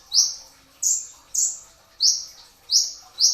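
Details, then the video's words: Kolibri ninja dada coklat, the brown-throated sunbird, singing 'tembakan rapat' at sahur before dawn as a training recording: six loud, very high, sharp slurred notes with brief pauses between. "masteran pedas kicau konin dacok, kolibri ninja 2tak dada coklat full tembakan rapat di saat sahur"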